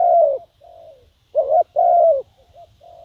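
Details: Lure spotted dove giving a strong drawn-out coo, a soft fainter coo, then two loud rounded coo notes followed by quieter trailing coos, low rumble beneath.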